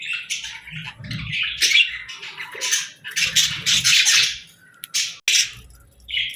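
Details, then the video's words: Parakeets chirping, kept as pet birds: lively, scratchy chatter in uneven bursts, with short squeaks, a sharp click and a final short chirp. "Parakeets Chirping Sounds"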